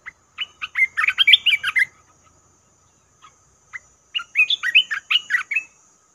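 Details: Olive-winged bulbul calling on a trapping lure recording, two rich bubbly phrases of rapid liquid, warbling notes, each lasting about a second and a half, separated by a quiet gap with a couple of isolated notes.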